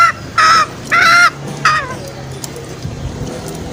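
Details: Green junglefowl trapping lure: three short, loud, nasal honking notes in quick succession, followed by quiet background hiss and low hum.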